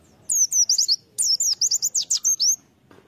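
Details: Two quick runs of high, thin, twittering notes from a white-eye (pleci) used as a lure bird, each run a fast string of sliding chirps, with a brief pause between them.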